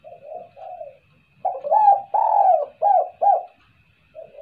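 Spotted dove giving soft, low, hollow coos, a short phrase of about six notes with a couple swelling louder, plus a faint steady hum.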